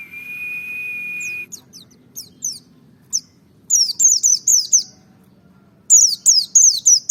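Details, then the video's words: Merapi white-eye singing in the ngalas dobel style, used to provoke other white-eyes into singing; a long steady whistle, then loud bursts of high, thin, down-slurred notes in quick rapid series. "pancing emosi pleci merapi ngalas dobel buka paruh 100℅ ikut bunyi"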